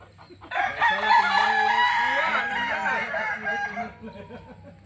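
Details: Kokok Balenggek rooster, an original bird from Solok, West Sumatra, giving a long crow of many stepped, wavering notes that sustain for several seconds before fading.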